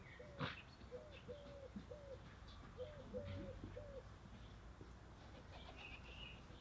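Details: Sunbathing Vorwerk hen, Fjerkøbing, Denmark, gives a short series of low, level, slightly nasal notes in two bursts. Wild birds chirp and whistle higher up, with a sharp chip near the start.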